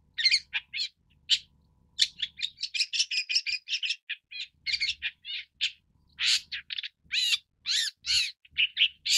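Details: Long-tailed Shrike (Lanius schach) giving a busy, almost continuous chatter of varied short notes, scratchy rasps mixed with sharper chipping and slurred whistle-like elements, delivered rapidly with few pauses.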